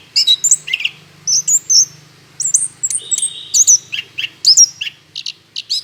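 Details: Orange-headed thrush in lively song, played as a lure to make other birds sing; quick high whistled notes and clipped chirps, some sliding, with a few held notes, delivered in irregular bursts with short gaps.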